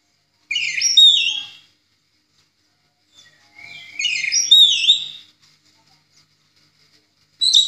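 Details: Orange-headed thrush singing in the 'ngeplong' style, a master recording for training other songbirds: two loud whistled, warbling phrases with rising and falling slurs about three seconds apart, separated by silence, a third starting at the end.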